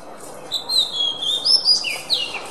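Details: Kacer (oriental magpie-robin) training song: a long level whistle followed by rising and falling slurred notes and a downward sweep, clear over faint hiss.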